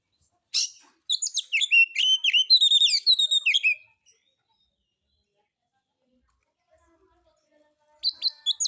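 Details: White-rumped shama (kacer) lure song in harsh material style, intended to provoke other birds; a three-second flurry of rich whistled and chattering notes, a long silence, then a short final burst.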